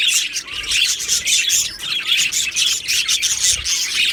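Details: Budgerigar colony chattering in an aviary, recorded 15 July 2025: intense, nonstop bright chirping and warbled notes from many birds, pulsing in short irregular surges.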